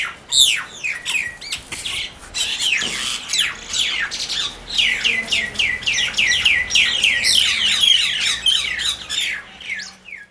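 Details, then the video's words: Mynas fighting squabble with harsh, rapid squawks and chattering notes, a dense run of scratchy descending calls with no pause. "Fight of Myna"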